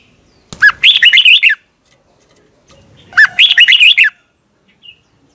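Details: Thai caged Red-whiskered bulbul giving its doubled song, played so young birds copy it. Two clear, rapid whistled-and-warbled phrases, each starting with a downward slur, about two and a half seconds apart, with a quiet background.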